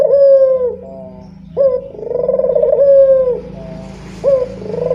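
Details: Deep cooing lure call of a local turtle dove, steady rolling coos with flicked starts and a soft low hum beneath, three phrases over five seconds.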